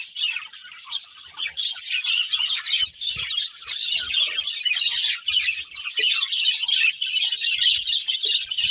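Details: Breeding pair of budgerigars producing unbroken high-pitched chirping and scratchy chatter, quick pulsed notes running the whole time.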